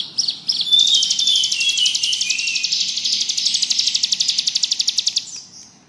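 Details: Bar-winged prinia pours out a long, continuous, buzzy ngebrem trill with thin sliding whistles. The trill slows into distinct rapid clicks before it fades.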